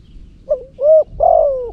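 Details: Brief cooing from a loud Cambodian decoy spotted dove used in luring: a soft short note, a smooth hollow coo, then a longer burred coo that falls away.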